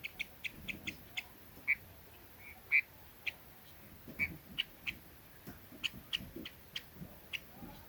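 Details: Red-billed leiothrix calling to attract birds: a steady string of short, bright chips, roughly two per second, a few noticeably louder, over gentle low-frequency background.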